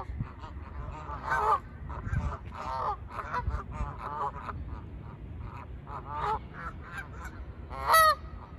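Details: Flock of Canada geese calling while taking off: dense, overlapping nasal honks throughout, with louder strident honks standing out at one and a half and eight seconds.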